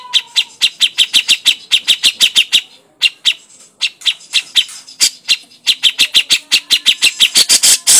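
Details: Grey-cheeked bulbul in crecetan, a fast chattering song: harsh, clipped notes fire in rapid bursts of about three per second, pause briefly, then resume in a louder, denser rattle toward the end.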